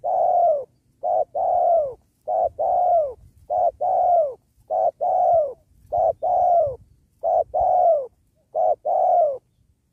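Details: Caller spotted dove used to lure wild doves during trapping beside a sacred tree. Steady, rhythmic cooing: repeated pairs of a short rounded note and a longer falling coo, over a dozen notes without pause.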